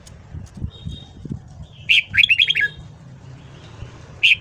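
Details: Red-whiskered bulbul morning song used for voice training: a single lively phrase of quick whistled and warbled notes midway through, a lone note at the end, and low background hum.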